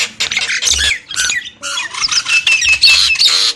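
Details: Harsh, raspy squawks from a Nias hill myna, with a few thin whistled slides near the end, delivered in uneven bursts.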